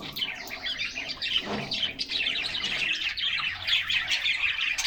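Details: Several caged canaries chirping and singing together in summer sunshine, recorded by a fixed camera inside their cage; a dense, continuous tangle of high twittering and short trills, with brief whistled notes and no pause.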